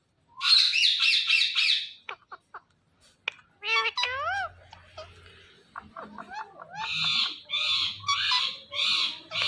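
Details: Natural calls of an Indian ringneck parakeet: rapid rasping screech bursts, short clicks, wavering whistled notes, then a series of harsh screeches repeated about twice a second, with faint low hum beneath.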